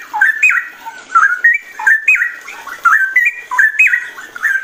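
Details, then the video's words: Straw-headed bulbul (cucak rowo) singing: loud, rich whistled phrases that jump and slur between mid and higher pitches, repeated in short bursts about every half second with brief gaps, no other clear sounds. "cucak rowo ropel vs samyong gacor ngerol"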